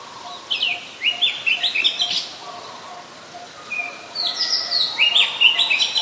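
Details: Song of an Oriental magpie-robin in Ubon Ratchathani, Thailand, 24 December 2020, captured on a Nikon P1000: two bursts of rapid, varied whistles, each about a second and a half long, separated by a pause, over faint lower background notes.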